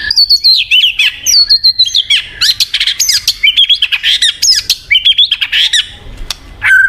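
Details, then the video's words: White-rumped shama song used to prompt a silent bird into singing: rich, varied whistled phrases with rising and falling slurs, mixed with sharp clicks and quick trills. "PANCINGAN BUAT MURAI MACET | WHITE RUMPED SHAMA SONG"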